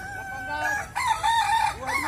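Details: Kukuak Balenggek rooster in a crowing contest in West Sumatra, giving a stepped, terraced crow of several sustained notes that wobble and break, with another rooster answering briefly at the end.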